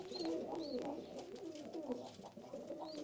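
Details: Cooing from Istanbul-breed pigeons, hazel- or red-eyed: a steady murmur of deep, wavering coos, with a few short high chirps early on and again at the end.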